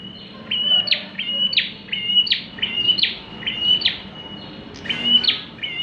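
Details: Bar-winged prinia singing energetically for luring: a long run of level high whistled notes, each closed by a sharp downward sweep, repeated steadily about every half second.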